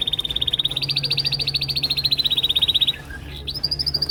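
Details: Canary males performing their individual songs to impress: a long unbroken rolling trill, fast evenly spaced notes stepping slightly higher then drifting down, followed by a short break and a fresh high trill.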